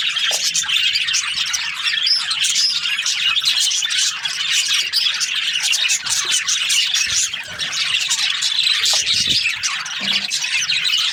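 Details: Aviary of breeding budgerigar pairs: a steady, unbroken flock chatter of rapid high chirps, twitters and buzzy warbles, all overlapping at an even loudness throughout.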